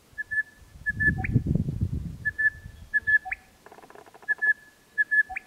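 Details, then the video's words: A male Crested Bellbird, which uses two different calls, repeats short, even whistled notes ending in a sharp rising bell-like note about every two seconds. A low rumble of wind and a brief buzzy sound break in. "Crested Bellbird"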